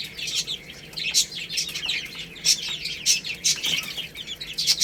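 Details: Baby chickens at rice, peeping rapidly in high, slightly falling chirps, several voices overlapping, with sharp clicks of pecking and light wing flutters.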